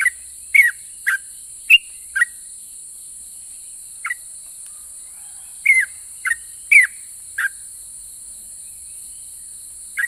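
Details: Sooty-headed bulbul in ropel song said to provoke other bulbuls to answer: scattered short whistled chirps in small bursts, with a long pause near the middle, then more notes, over steady background hiss.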